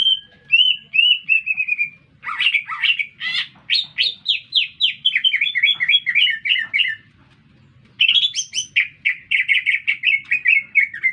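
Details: A green leafbird singing constantly in a city centre: descending whistled phrases, then a long stream of harsh, rapid downslurred notes, a brief pause, and a renewed high buzzy run that slowly falls in pitch.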